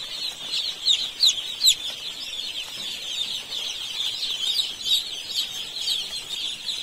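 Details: Many baby chicks on an Indian poultry farm peeping together: a dense, continuous chorus of high, thin cheeps with a few louder, sharper peeps standing out early on.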